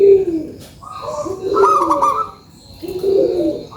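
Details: Local zebra dove, in full song, gives a lure call: soft, rounded coos near the low range with brighter overtones, three cooing phrases separated by short pauses across a few seconds.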